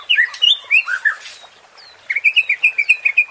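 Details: White-rumped shama song used as a provoking sound: quick warbled whistles, a brief pause, then a fast, even series of bright chirping notes.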